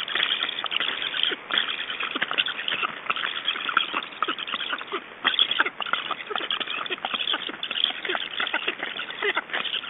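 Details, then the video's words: Estonian black stork nest at feeding time, 9 July 2012: a long run of harsh, noisy rasps and irregular clattering clicks, rising and falling in loudness with brief pauses between bursts. "Estonian Black Storks - Feedings"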